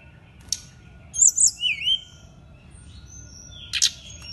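A brown-chested jungle flycatcher gives a quick run of high, sweet, slurred whistles, followed by a thin drawn-out note, with sharp clicks before and after.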